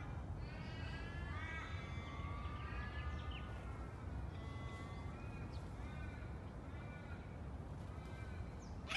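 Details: Red wattlebirds on a woolly orange banksia tree give harsh, nasal, bleating calls in a loose series, over a steady low rumble of wind or distant traffic.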